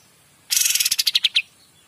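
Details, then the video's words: Kapas tembak singing in lively gacor style, recorded as a master for training magpie-robins: one short burst of about ten rapid, dry, clicking notes, high-pitched and evenly spaced, lasting under a second. "KAPAS TEMBAK GACOR DOR"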